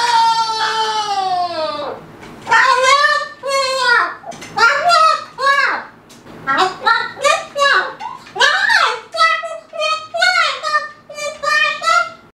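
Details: A male Moluccan cockatoo playing on top of his cage chatters in a rapid run of harmonic, speech-like syllables that swoop up and down in pitch, in a small indoor room.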